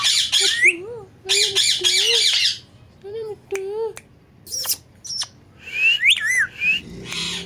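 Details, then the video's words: Pet talking parrot alternating harsh broadband squawks with tonal, word-like syllables, then high whistled and squeaky rising-falling notes, all close and indoors. "Very Beautiful And Amazing Talking Parrot"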